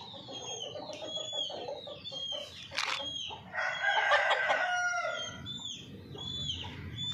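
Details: Hens kept on a small home farm, clucking and crowing-type calls rising into a loud harsh stretch in the middle, with chirping small birds in the background.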